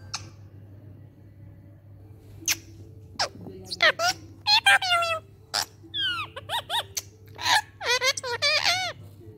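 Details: A talking ring-necked parakeet. Scattered clicks give way to a string of speech-like phrases, with warbling, up-and-down inflected syllables and squeaky whistles, over a constant background hum indoors.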